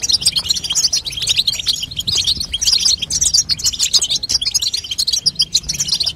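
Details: Hen European goldfinch calls used to get a young goldfinch singing: steady, fast, liquid twittering in high tinkling bursts that barely pause.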